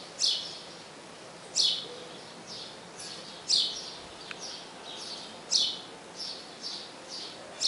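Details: House sparrow calling the female to the nest: loud, high chirps at uneven intervals of one to two seconds, with fainter echoing chirps between them and a light background hiss.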